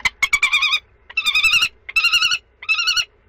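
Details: Common kestrels during the second and third prey transfers, 2 May 2013: harsh, trilling, rasping calls in bursts under a second long, with short pauses between them.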